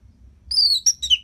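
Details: Orange-headed thrush giving a short song phrase for training other birds: a long high whistle gliding gently downward, then two quick slurred notes, the last falling lower.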